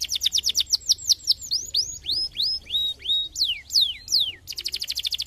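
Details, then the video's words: Canary singing meant to stimulate song. Quick repeated hooked notes slow into longer rising whistles and steep downward sweeps, closing with a fast rattling roll. "estimule rapidamente o som do canary jam"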